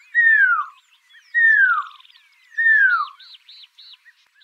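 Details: Pearl-spotted owlet singing: three loud, clear whistles, each sliding downward over about half a second, repeated roughly every 1.2 seconds, with fainter high chirps, a buzzy trill and arched notes from other birds in the background.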